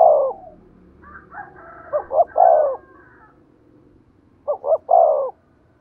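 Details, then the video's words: Decoy spotted dove calling in giọng thổ style: the tail of one coo, then two brief notes and a drawn-out rolling coo, repeated about two seconds later; a rooster crows faintly in the background during the first phrase. "tiếng cu gáy mồi chuẩn giọng thổ hay"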